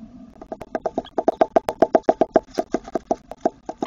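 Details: Eurasian wryneck that has taken over a tit nest box, singing a rapid series of even, nasal, slightly plaintive notes, about six per second, all at steady pitch.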